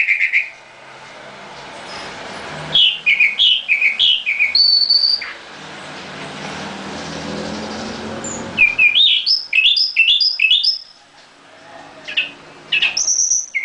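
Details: A nightingale in a cage sings bursts of quick varied whistles and trills separated by quieter stretches with low background noise.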